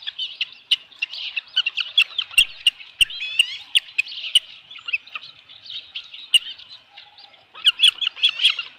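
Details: Nest-cam sound of osprey on 15 July 2018 in the evening, with a headless fish delivered: continuous excited chattering of high, thin whistles, a brief upslurred series near the middle, rising again in a loud flurry at the end.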